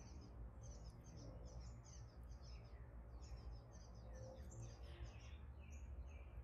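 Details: Nestling gray catbirds being fed, calling in quick clusters of high, sharp chirps and short buzzy notes, nearly continuous for several seconds, with a constant low-pitched hum underneath.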